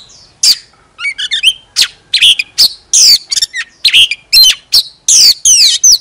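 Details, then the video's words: Oriental magpie-robin decoy song of harsh squawky notes, quick chattering trills and sweeping whistles, delivered in loud separate bursts. "Chòe than hót xòe II chòe than mồi CỰC HAY"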